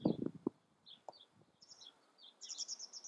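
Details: Black redstart singing in the Eifel: after some low thumps at the start, high thin notes appear, ending in a quick stuttering run of bright, repeated chips.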